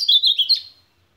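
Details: A brief, fast burst of supapo song from an ultramarine grosbeak: four or five quick, slurred high notes run together, then fading out.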